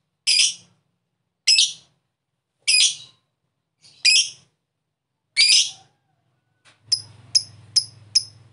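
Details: Lovebird calls used to wake up a lazy, quiet lovebird: five separate harsh, high chirps about a second apart, followed by a quick run of thin, sharp chirps over a low steady hum.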